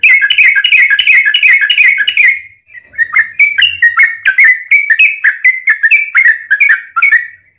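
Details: Yellow-vented bulbul in long fighting song, used as a lure to provoke other bulbuls to sing; rapid run of bubbly, gurgling whistled notes, a brief pause, then a steady series of clipped, chattering whistles repeated about twice a second.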